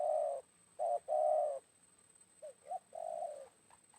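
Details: Spotted doves calling around noon after rain while a wild bird is lured by a decoy: long flat coos, then two soft short notes leading into another sustained coo; a faint steady high tone persists.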